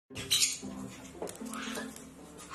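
A white-bellied caique gives a sharp, high squeak, then softer squeaky chatter with a rising note, over a steady low hum or faint tones.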